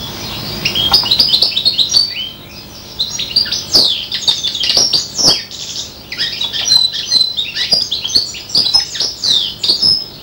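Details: Serin crossed with a bronze canary hen, five months old, copying a goldfinch's song. After a short quiet start comes a dense stream of bright, sharp chirps and liquid twitters, pausing briefly near three seconds.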